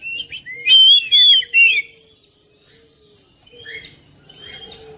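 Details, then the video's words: Oriental magpie-robin song for prompting a lazy bird: a loud run of clear rising and falling whistles in the first two seconds, then near quiet with a few faint distant notes, against a soft steady hum. "KICAUAN KACER"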